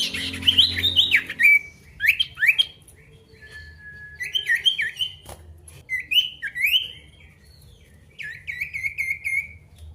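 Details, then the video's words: Pied bush chat male calling an opponent, delivering rapid chirpy phrases of rising and falling whistles in several bursts, ending in a trilled descending run. "PANCINGAN SIRTU GACOR MANGGIL LAWAN"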